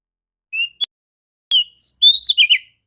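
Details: Female Oriental magpie-robin singing clearly in the morning to stimulate males: a whistled note and two sharp clicks, then a tumbling series of bright, high whistles with quick pitch turns.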